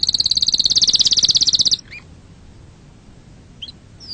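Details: Canary song for rousing other birds and teaching chicks to sing: a bright rapid high trill lasting under two seconds, followed by near silence with a few faint sweeping notes.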